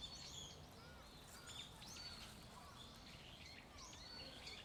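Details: Faint, scattered high chirps and short slurred notes from birds at the stream garden in Aoba no Mori Park, recorded 27 November, set against a steady low background rumble.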